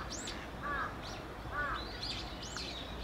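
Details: White wagtail (Motacilla alba), call.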